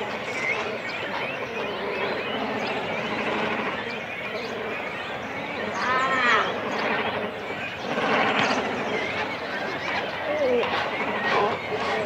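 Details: Cormorant colony with chicks and adults at the nest: a constant grating babble of many birds, broken by a few clear rising, wavering cries and louder swells of calling partway through.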